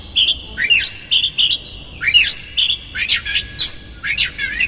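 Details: Oriental magpie-robin singing a konslet-style lure full of rough fill, meant to rile other magpie-robins: rapid swooping whistles, short flat whistled notes and scratchy bursts, delivered in quick continuous phrases.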